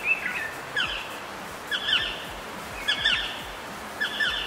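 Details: A black sparrowhawk (Accipiter melanoleucus) calling at Waterberg, South Africa, gives sharp, mid-high notes with quick downward slurs, about one burst per second, over a soft outdoor hiss.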